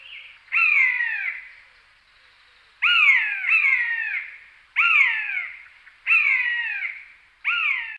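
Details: Common buzzard call used as a decoy: loud, drawn-out mewing cries that slur downward, each about a second long, given singly or in close pairs with short silent gaps between them.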